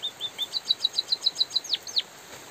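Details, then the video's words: A white-headed munia sings vigorously in light rain, its high steady chirps repeating quickly before two long, steeply dropping slurred notes. Faint rain hiss underlies it. "suara burung emprit pipit bondol kaji gacor jeda natural dan suara hujan"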